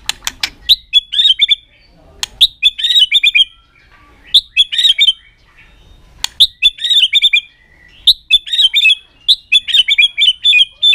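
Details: White-rumped shama with aggressive tail-flicking display to excite other birds: sharp clicks introduce repeated bursts of rapid warbled whistles and buzzy trills, phrases every two seconds over eleven seconds.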